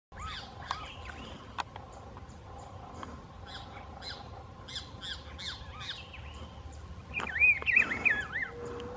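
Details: A Rufous-browed Peppershrike at Las Macanas Marsh gives one loud, warbled whistled phrase near the end, over a steady background chorus of faint chirps from other birds.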